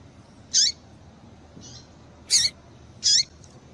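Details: Female double-collared seedeater calling to excite the male and set him singing. Three short, high, sharp squeaky notes, each ending in a falling tail, come about a second apart over faint room hiss.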